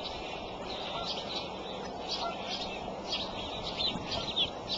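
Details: Bald eagle at a nest on the Decorah eagle cam, an adult feeding the eaglets on April 13 at 8:37 am; high, thin chittering notes come in quick bursts throughout over steady background hiss.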